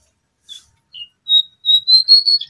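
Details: High, pure whistled notes of a brown prinia lure recording: two short soft chirps, then louder sustained whistles run together into a quick final flourish on a clean, quiet background.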